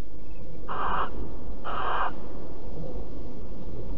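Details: Cuddling barn owls recorded in Alphen at 09:46 on 5 September 2019: two rough, breathy screeches in quick succession, about one second apart, with a continuous low hum behind.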